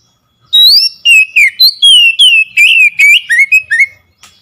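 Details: Oriental magpie-robin singing a lure song meant to provoke a quiet bird into song; a rising opening whistle followed by a rapid string of about twelve bright, slurred whistles, many dropping in pitch, on a silent background.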